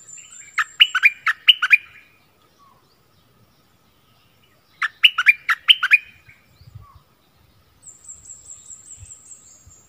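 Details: Streak-eared bulbul kept as a decoy bird, recorded 16 February 2021: two bursts of bright, chattering chirped notes about three seconds apart, each a quick run of sharp descending phrases, with quiet pauses and a faint high thin tone.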